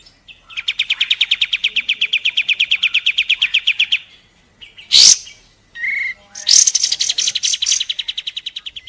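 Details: Pied triller song for training caged songbirds, a long rapid rattling trill of evenly repeated notes lasting about four seconds, a sharp high burst, a brief whistle, then the trill resumes.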